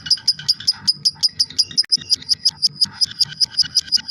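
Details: Lovebird in long 'ngekek' chattering meant for tutoring songbirds: a regular train of sharp, high, clicking chatter notes, about three per second, with a brief dip midway.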